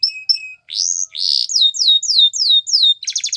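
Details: Canary song for training young canaries: thin high whistled notes, then a broad rising note and a series of quick descending whistled sweeps about five times a second, ending in a rapid buzzy trill.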